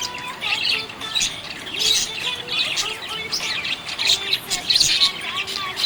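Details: Budgie chirping in a happy mood: continuous scratchy warbling with squeaky chirps and short rising and falling whistles, growing busier toward the end.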